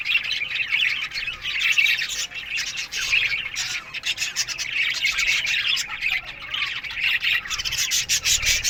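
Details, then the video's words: Many caged budgerigars chirping in the morning, a thick mass of high warbles and harsh squawks swelling in brief louder bursts over constant twitter. "Budgies Morning Chirping Sounds"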